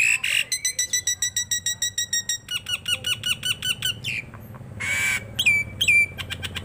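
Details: Tame Nias hill myna in lively voice: a rapid train of about twenty sharp metallic clicks, then short harsh squawks and bright downslurred whistles, with a low hum throughout.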